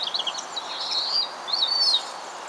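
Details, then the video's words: Part of a flock of 49 Bohemian waxwings (Bombycilla garrulus) at St Asaph, Wales, on 17 December 2016, giving high, thin buzzy trills, several overlapping in a soft continuous chorus, with light background hiss. "Bohemian Waxwing - Ampelis europeo - Bombycilla garrulus"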